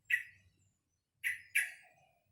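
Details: A young sooty-headed bulbul kept in a cage, practising song: three loud, harsh chirps, one alone and then a close pair, each quickly fading, in an otherwise quiet room.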